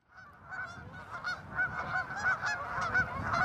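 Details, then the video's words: Tundra swans calling in a flock on March 16, 2013, at Ninth Line, Mississauga, Ontario, Canada, among many geese and ducks; overlapping nasal, harmonic hoots and honks build into a steady, dense chorus with a low background rumble. "Tundra Swans (Cygnus columbianus)"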